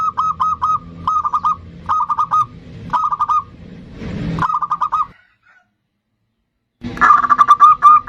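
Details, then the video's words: Zebra dove, bodronoyo type, used as a singing lure: repeated short phrases of four or five fast cooing notes about once a second, a rustle, a silent gap, then a louder rapid run. "Pancingan perkutut bodronoyo gacor super ampuh untuk pancingan"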